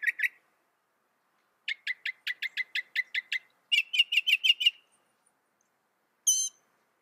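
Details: Mockingbird song with varied phrases: a short whistled note, then a rapid string of sharp clicking notes, a burst of fuller repeated notes, and a final single high harmonic note.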